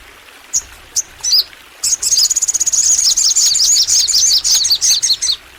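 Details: Crimson sunbird in long, lively song: a few separate high tweets open, then a sustained high trill breaks into a fast stream of twittering, slurred notes running for over three seconds without pause.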